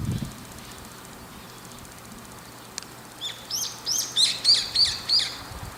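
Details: Brown-eared bulbul on an antenna, glancing around and calling insistently; after a quiet start, a rapid series of about seven high, clipped, upward-inflected notes fills the last half.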